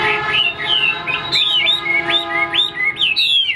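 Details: Tame caged Chinese hwamei, about 95% tamed, offered for sale; its voice is praised as very good and it keeps its tail fanned even when silent. Loud clear whistled phrases, rising and falling slurs repeated rapidly, with a steady low hum beneath.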